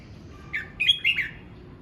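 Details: Single short song phrase from a red-whiskered bulbul practising its voice: a rising chirp followed by two rapid, bright, slurred whistles.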